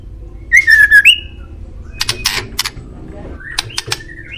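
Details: White-rumped shama song used as a master recording to make pet birds answer: a short run of clear, bright whistled notes with slight rises and dips, followed by scattered harsh, scratchy bursts and a faint closing whistle.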